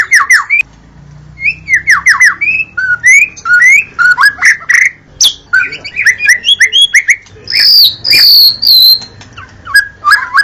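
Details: White-rumped shama in an energetic song: fast sequences of clear whistles, downward slurs and buzzy notes, ending in loud high ringing phrases, with short gaps between bursts.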